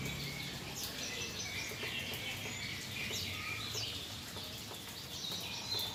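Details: Trucukan, the yellow-vented bulbul, singing after a calming rain-bath: quick chirped notes and brief slurred whistles come in loose clusters, with a constant splashing hiss and clicking behind them.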